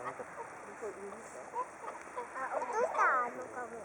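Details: A flock of whooper swans waiting for food at a lakeside swan viewing spot gives overlapping nasal, bugling honks, building to a louder cluster of calls near the end over a steady background murmur.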